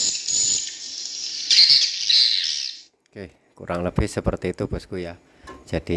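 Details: Several swiftlet chicks give a dense, hissing, buzzy "ci ci ci cu cu cut" chatter, high and continuous for about three seconds, mixed with some adult swiftlet sounds, before a man starts talking.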